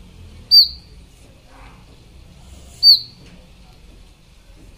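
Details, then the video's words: Indian robin in Ranthambore National Park, Rajasthan, giving short, sharp high-pitched notes, one every two or three seconds, over a faint low background rumble. "Indian Robin Bird Sounds"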